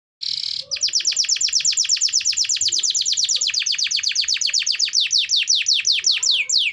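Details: Lively singing canary used as a lure to prompt reluctant canaries to sing: a fast, high, even trill of rapid repeated descending notes, about three per second, held steadily for six seconds after a brief burst.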